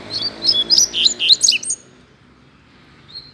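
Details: Wild double-collared seedeater loose in a neighbourhood, delivering a rapid run of bright chirps and whistled slurs for under two seconds, then falling silent before one last thin note; faint low background hum.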